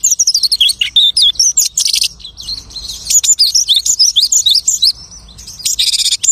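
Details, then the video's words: Mimicking lark song: dense, high warbled phrases of quick chirps and looping whistles, punctuated by two harsh rasping bursts, delivered almost without a break. "The lark imitates the singing of hundreds of birds."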